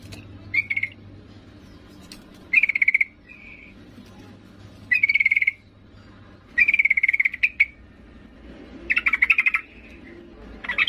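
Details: A female yellow-vented bulbul calling to a male gives short bursts of bright, bubbly chattering notes about every two seconds, with a low steady hum underneath.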